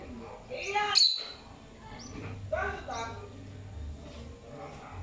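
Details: Pet lovebird named Falcon, exploring and singing while ignoring being called, gives a few harsh, chattering squeaks in short bursts with clear gaps, over a low background hum.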